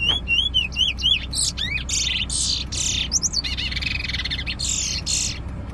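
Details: Bullfinch in song during a bird competition near Preysal. Crisp whistled slurs open, then come dense buzzy trills and rasping phrases with twittering notes, varied and continuous. A man urges the bird on, over steady background hum.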